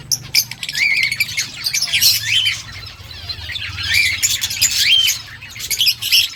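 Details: Rose-ringed parakeet (ringneck) eating green leaves, giving harsh, high chirps and squawks in rapid irregular bursts, several overlapping, with a faint low hum beneath.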